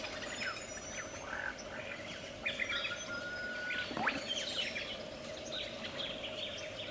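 A lyrebird pours out a rapid, ever-changing medley of clear whistles, sharp slurred notes and clicks over a steady low hum.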